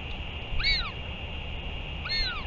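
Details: Two short arched squeaks about one and a half seconds apart from a northern royal albatross returning and feeding on 31 May 2023, with steady hum and low background rumble.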